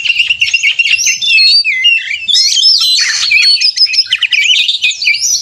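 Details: Oriental magpie-robin in fighting-mode 'konslet' song for contest simulation, used as a lure to make caged birds sing: continuous high, jumbled warbling with quick whistled slides and buzzy chatter throughout.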